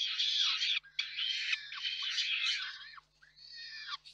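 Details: Rasping, screechy calls from a peregrine falcon nest in Reda, Poland, 4 May 2023, as the parents bring and hand over food; rapid harsh bursts then a fainter trailing wail.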